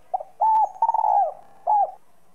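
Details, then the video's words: Spotted dove, or cu gáy, giving its whistle-voiced 'giọng còi' coo meant to provoke other doves into calling. A brief opening note is followed by a level coo, a broken trilling phrase and a closing coo, clear and without background noise. "Cu gáy giọng còi. tiếng chim cu gáy giọng còi gáy kích bổi"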